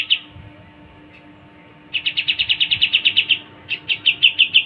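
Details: Pied triller: a single high note, a near-silent pause, then a rapid trill of about fifteen sharp notes followed by a slightly slower run of loud chips at the same pitch.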